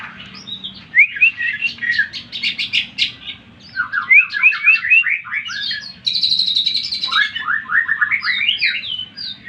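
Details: Greater green leafbird song played to rouse other birds: fast, varied medley of sharp chirps, rising whistled notes and bursts of high rattling trills, delivered without pause over a steady low hum.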